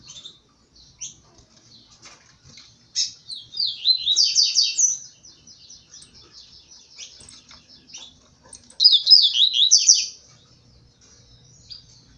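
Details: Blue-black grassquit singing strongly in competition with double-collared seedeaters, with bursts of high, buzzy, rapidly sliding notes, two loud phrases a few seconds apart among scattered thin chirps from the other small finches.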